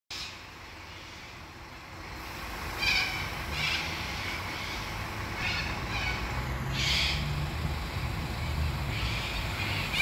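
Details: Little corellas at Victoria Park Lake, Shepparton, Victoria, Australia, on 12 March 2021 give harsh, rasping screeches in bursts every second or so, over a steady low rumble of distant traffic.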